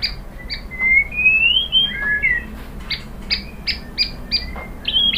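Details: White-rumped shama singing to stimulate other shamas to reply: a long rising whistled glide, then a twisting falling phrase, followed by a string of crisp, evenly spaced chip notes and a final whistle.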